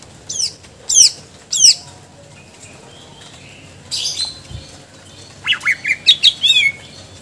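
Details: Greater green leafbird in full, lively song, showing its repertoire of mimicked phrases. Three steep descending whistled notes come first, then a buzzy burst, then a run of quick rising and falling whistles near the end.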